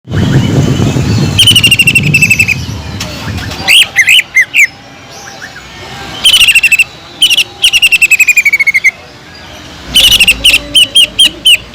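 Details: Greater green leafbird singing vigorously, its song filled with mimicked kingfisher notes; bursts of rapid, even, high metallic notes and quick trills separated by short pauses, with low rumbling noise at the start.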